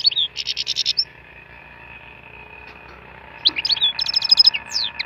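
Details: Wild European goldfinch song opening with a rapid, evenly spaced buzzy trill, then after a quiet gap a lively mix of high twitters, slurred notes and another fast buzzy trill, over a faint steady hum.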